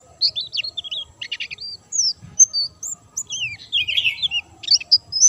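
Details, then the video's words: White-eye singing vigorously without stimulants: a rapid, high-pitched jumble of thin whistles, trills and sharp chirps in quick bursts with short pauses. "burung pleci gacor dor tanpa doping"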